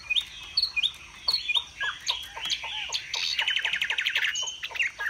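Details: Caged Chinese hwamei from Vietnam, fanning its feathers in display while singing high: a varied run of sharp whistled notes and quick chips, ending in a fast buzzy trill with more bright whistles.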